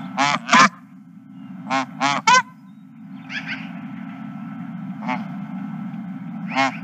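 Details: Geese recorded at a ranch, 31 March 2023, giving a cluster of sharp honks in quick pairs, then scattered quieter honks, all above a steady low background hum.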